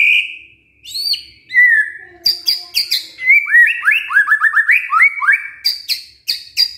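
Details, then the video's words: White-rumped shama singing as a provoking lure for a reluctant male: a high whistle and falling note, then rapid chains of upslurred whistles about four per second, interspersed with crisp high clicks. "Cukup HITUNGAN DETIK MURAI MALES JADI GACOR MENDENGAR PANCINGAN INI❗❗ PANCINGAN MURAI BATU GACOR❗"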